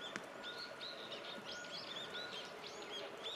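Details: A chirpy wild flock of brown-eared bulbuls gathers at snow-capped, leafless riverside shrubs in midwinter, bathing in the frigid river. Thin, high whistled calls, some rising or arched, repeat over a steady rushing-water roar.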